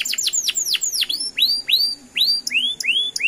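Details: Canary song used to prompt other canaries to answer: a rapid series of high, steeply falling swept notes that change into slower, rising-then-falling whistled slurs repeated about three per second.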